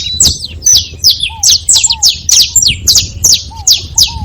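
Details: Saffron finches in a group give rapid bursts of high, clipped chirps, about two to three per second, with occasional short, low, curved whistled notes underneath.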